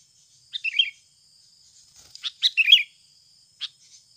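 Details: Sooty-headed bulbul, a natural recording used as a lure to prompt other birds to sing: a short scratchy chattering burst, then after a pause a longer, rougher chatter and one sharp note, over a steady high insect whine.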